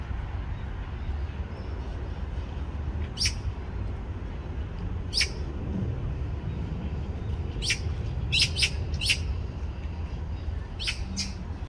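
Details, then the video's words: Juvenile Eurasian magpie trailing its parent and pestering for food, giving brief harsh scratchy calls, some in close doublets, spaced irregularly over low background rumble. "밥 달라고 따라 다니며 보채는 어린 까치(까치 새끼)"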